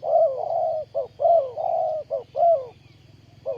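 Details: Spotted dove used as a ground decoy bird for trapping wild doves, recorded 20 April 2020: mellow low cooing phrases, a short note followed by longer drawn, slightly falling coos, repeated roughly once a second over a steady low hum.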